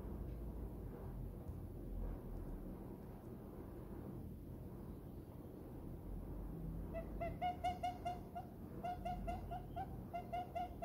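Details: Diamond dove, tame, happy and nestled in its owner's palm. Steady low rumbling background for about seven seconds, then a run of short, soft, tonal coo notes in quick irregular bursts, roughly two per second, to the end.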